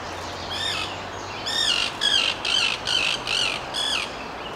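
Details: A male common kingfisher (Alcedo atthis) raising the alarm gives shrill, harsh piping notes, about six in quick, slightly uneven succession over four seconds, over a quiet outdoor background.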